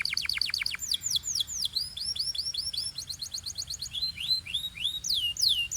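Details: An unbroken stream of canary phrases in the Belgian singing style, with other birds joining: steep downward strokes giving way to arched whistled notes repeated several times per second, layered with higher chirps.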